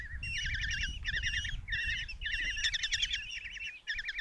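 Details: At a nest box in Tiszalök, Hungary, on 27 June 2024, five young Common kestrels beg as the mother arrives with a mouse. Rapid, wobbling trilled calls in clustered bursts of about half a second, several voices overlapping.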